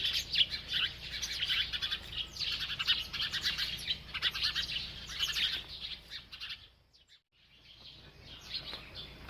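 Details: Sparrows in a village chirping as they play and bathe: busy, overlapping high twitters for about seven seconds, then a sudden near-silent gap, followed by quieter scattered chirps.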